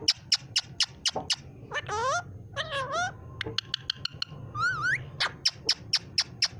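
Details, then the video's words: A green pet parrot in a home in Pakistan, trained to talk, mimicking the phrase "mian mithu Allah ho": wavering, speech-like phrases set among sharp repeated clicks at the start and end of the clip. "My parrot saying mian mithu Allah ho"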